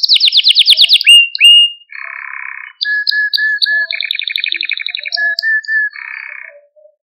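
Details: Singing male Maltese canary, played to stimulate other canaries: a loud rapid high trill, two rising slurred whistles, a low buzzy roll, then varied repeated chips, a short whistle series, and another buzzy roll.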